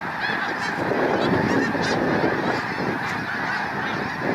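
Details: Thousands of wild Snow Geese taking off from water during a hike and flying overhead: a dense, continuous roar of overlapping nasal honks with no gaps.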